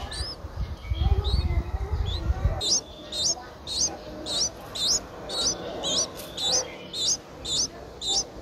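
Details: Nine-day-old Streak-eared Bulbul nestling begging in Ubon Ratchathani, Thailand, on 11 April 2023: thin, high squeaky notes repeated about twice a second, each with a quick upward twist, after opening low rumbling handling noise.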